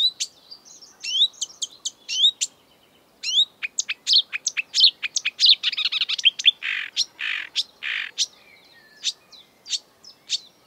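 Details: Exuberant marsh warbler, a mimic of European and African birds, singing in the breeding season: a fast, varied run of sharp high chirps, buzzy trills and whistled slurs, with brief pauses between bursts.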